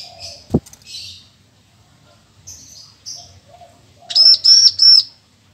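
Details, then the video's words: Bar-winged prinia song used for training magpie-robins: three loud, evenly spaced buzzy notes with harmonic bands, preceded by softer scattered chirps and a sharp click. "Kicau Ciblek"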